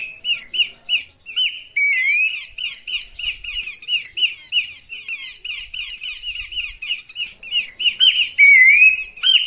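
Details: Horsfield's babbler lure call, clear, used to attract birds: rapid run of short, bright chattering notes repeated about three times a second, broken by rising slurred whistles and harsh buzzy bursts near the end.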